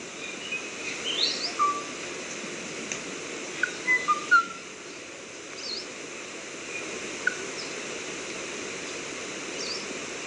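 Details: Kauai ʻōʻō with a few quiet whistled notes early, then a tight cluster of three or four clear whistles midway, and a lone note later, amid constant hiss.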